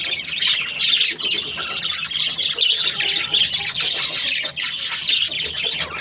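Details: Happy budgerigars in breeding pairs producing steady, dense chatter of grating chirps and squeals, evenly loud throughout.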